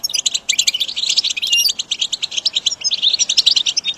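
Goldfinch song: a fast, unbroken stream of bright, tinkling twitters and high buzzy trills, rippling on without pause. No other sounds stand out.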